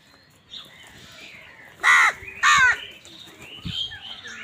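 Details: Crows squabbling with wild birds over food: two loud harsh caws in quick succession near the middle, framed by softer chirps and high twittering from smaller birds.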